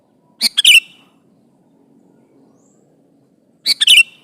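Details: Sooty-headed bulbul singing persistently to call a rival and provoke replies; two short, liquid, bubbling phrases about three seconds apart, each a quick run of three notes, with near silence between them.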